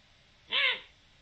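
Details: A lone arched, somewhat nasal call from a Eurasian eagle-owl, 7 October 2020, brief and harmonic, with faint low rumble and hiss in the background.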